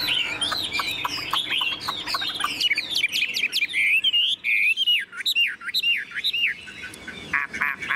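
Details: Caged, tame Chinese hwamei in full ngũ trường song, tail spread: rapid chattering clicks give way to loud rich looping whistles, rising and falling slurs delivered in quick bursts.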